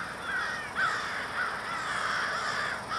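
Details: Flock of crows in Minneapolis, Minnesota, 20 February 2020: many birds caw at once, and a few louder hoarse caws stand out from the constant crowded background.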